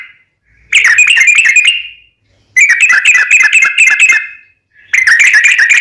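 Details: Sooty-headed bulbul making long, rapid chattering trills in a fighting-style lure, meant to make other bulbuls respond: three harsh, buzzy bursts separated by short silences.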